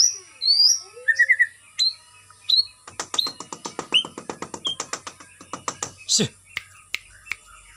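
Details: Captive white-rumped shama under routine aviary exercise for stamina starts with high whistles and a trill, then produces a long rapid series of dry ticking notes, about eighty-five per minute, mixed with occasional whistles.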